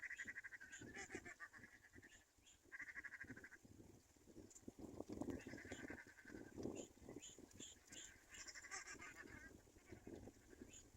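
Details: Black-winged kite chick abandoned by its mother, giving drawn-out wheezy squeals, each lasting about a second, repeated in a loose series, with faint high chirps and close rustling and handling noise throughout.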